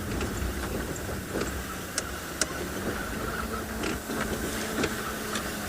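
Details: A steady vehicle engine hum with low rumble, a few faint clicks and knocks, and no clear animal calls.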